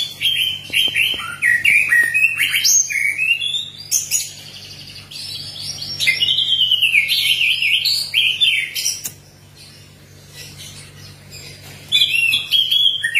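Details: Orange-headed thrush (anis merah) in full song, used to prompt other birds, singing a rich, fast, varied run of whistles, slurred trills and mimicry-like phrases. It pauses briefly near the end, then resumes over a faint low hum.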